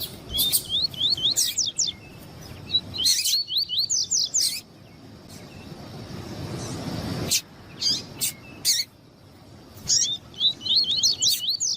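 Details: Male double-collared seedeater song alongside female calling, meant to excite males: short bursts of rapid upslurred whistles interrupted by loud chips, a quiet gap, then more chips and another whistled run.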